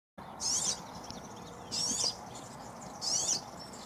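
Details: European serin, called verdecillo or chamarín; three short high jingling, buzzy phrases, each about a third of a second long, spaced roughly a second apart, over steady low background hiss.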